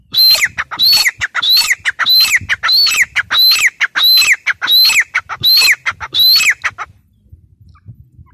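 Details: Loud repeated calling of a grey francolin (teetar): ten harsh, ringing, evenly spaced notes, about one every 0.65 seconds, then quiet with faint low background noise.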